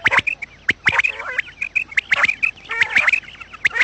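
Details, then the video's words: Morning quail calling, recorded for luring quails into traps: rapid, uneven series of sharp, high chirping whistles, about seventy a minute, mixed with a few rasping notes, with several birds calling together. "batair Subha ki awaz | quail sound effect"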